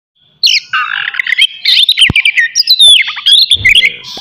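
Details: Oriental magpie-robin (kacer) singing loudly as a morning provocation meant to stir aggression and breeding urge in other magpie-robins; rich, varied phrases of sweeping whistles, sharp chirps and rapid trills, with bright downslurred notes.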